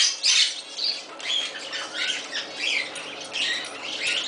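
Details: Male Moluccan cockatoo, a shop pet in Summerville, South Carolina, making softer, varied squawks with some rising and falling tonal notes, plus faint rustling, indoors.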